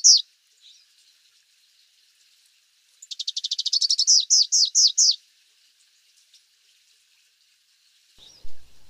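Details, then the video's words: Rufous-capped warbler (Basileuterus rufifrons) singing: after a lone high note and a quiet pause, a two-second burst of rapid, high, dry chips that quicken, then end in a few louder downslurred notes, followed by silence and a brief closing phrase. "O canto do Pula pula de capuz vermelho ( Basileuterus rufifrons )"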